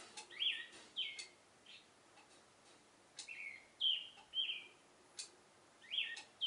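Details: Morning love song of an Oriental reed warbler perched in a cherry tree, loud scratchy churring notes delivered in quick pairs with brief gaps, sharp ticking sounds scattered through.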